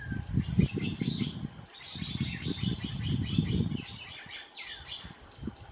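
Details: Young southern crested caracara calling to its parents, begging for food while awaiting the parent's hunt, gives harsh, raspy notes in quick repeated series over a low rumble of wind and a person talking.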